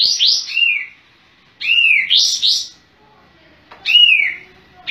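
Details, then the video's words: Sooty-headed bulbul in full song, tail spread, gives loud, bubbly phrases of quick rising and falling whistled notes about every two seconds, with short pauses between. "Masteran Kapas Tembak"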